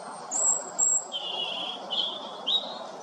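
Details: European robin, a male, singing in the midday sun in Derbyshire while resting on one leg; thin high whistled phrases, some sustained, with short pauses between them over a low background hiss.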